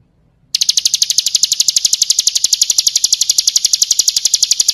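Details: Bar-winged prinia performing kristal-style song for a training recording: after a half-second of quiet, a steady, fast stream of high, ringing tick notes continues to the end.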